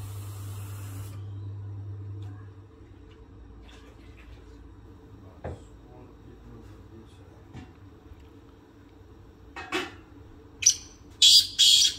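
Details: Quiet indoor background hum with scattered soft clicks and knocks, ending in a few short hissing bursts; no animal voice is heard.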